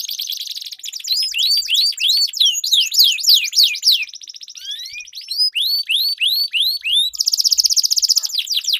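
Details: Competing canaries sing a long rolling song meant to coax silent birds into singing: buzzy rattling trills mixed with rapid repeated upward-curving whistles and chattering phrases, continuous and bright.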